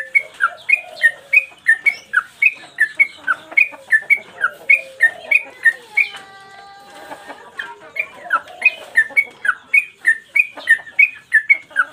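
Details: Master recording of a caged sooty-headed bulbul singing hard in 'gacor mbandul' style. It gives a long run of short whistled notes, roughly three each second, that switch between two pitches. A brief pause with a buzzy sound falls near the middle.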